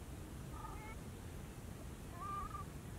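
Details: Two short, nasal, trumpeting honks of a whooper swan in Bojaq National Park, about 1.5 seconds apart, the second louder and slightly rising, over steady low wind rumble.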